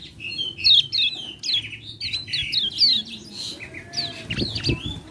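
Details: Common iora singing as a lure to trigger lazy ioras: a dense, fast run of high, downslurred whistles and warbled phrases, nearly continuous, ending in rougher, rising notes against steady low background noise.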